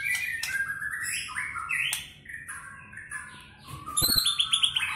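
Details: Fast song of a Medan white-rumped shama, a contest bird with mimicked cililin, canary and lovebird phrases: tumbling slurred whistles stepping down in pitch, a quieter pause, then high rapid trilled notes.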